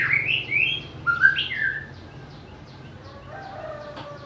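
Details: A white-rumped shama gives a loud burst of varied whistled notes with sweeping slurs for about two seconds, then softer, quieter chirps fade out under a low background hum.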